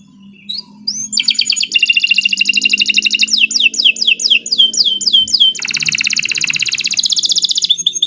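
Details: Continuous canary song used as a lure for training birds, mixing rolling trills, a run of rapid descending slurs, and a loud buzzy high trill at the end.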